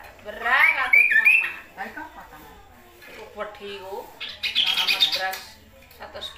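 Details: Indonesian Kaso-kaso or Kidangan singing vigorously: a quick run of sharp whistled notes, then wavy harmonic chatter, and a dense buzzy high burst around five seconds.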